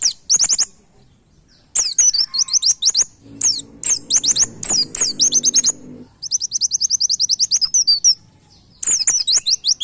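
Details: White-eye "nembak" song as a training master for cage birds: clusters of high, quick, downslurred chirps and an even rapid trill, with a rough low noise in the middle section.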